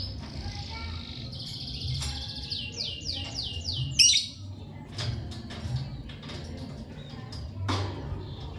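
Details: Lovebird chirping: a run of sharp descending chirps near the top of the range, then a loud squawk midway, followed by scattered clicks and softer notes over a steady low hum.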